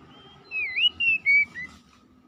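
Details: Oriental magpie-robin song meant to stimulate a stressed bird that has stopped singing: a short run of clear, slurred whistles, four phrases rising and falling over about one second, against a faint low hum.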